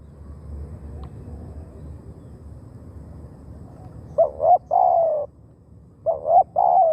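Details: Wild doves are lured by this calling decoy spotted dove. About four seconds of near silence with faint background hum, then two phrases of doubled hooked coos, each followed by a longer falling croo.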